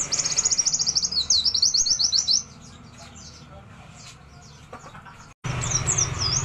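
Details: White-eye singing in a lively style that fills its song with imitations of wild birds: a fast, high, twittering trill of rapid repeated notes, then a quiet pause, then the high notes return over a low rumble.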